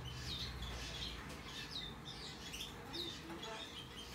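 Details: Rosy-faced lovebird chick, hand-tame, white-face Australian cinnamon mutation, dated 3 April 2022; repeated shrill, falling chirps with softer squeaks between them, plus a faint murmur and steady low hum in the room.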